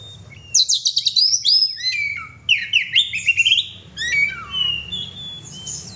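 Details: Oriental magpie-robin (kacer) singing gacor: dense bursts of rapid, high chattering and trilled whistles, a second energetic run, then softer, more drawn-out whistled phrases toward the end.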